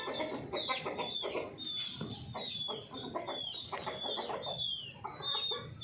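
Golden Misri chickens give rapid, overlapping clucks and high, falling peeps from several birds, with a continuous low background rumble.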